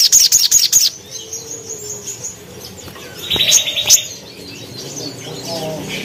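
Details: Caged crimson sunbird in gacor form giving sharp tembakan phrases for training birds: a quick burst of high, piercing clipped notes opening, then a buzzy high note and faint softer chirps.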